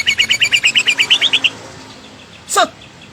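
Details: A white-rumped shama gives a quick, even trill of about a dozen bright chipping notes that rise slightly at the end, then a single sharp downward note after a pause.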